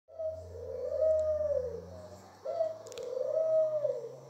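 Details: Pet Barbary dove singing: two long, rolling coos, each rising at the start and then swelling into a low, throaty purr about two seconds long, with a short pause between them.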